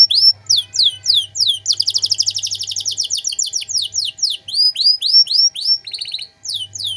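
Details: Canary cengkok mewah master for teaching songbirds: downswept notes, a dense buzzy trill, then a slower series of arched whistles, with a faint low hum beneath.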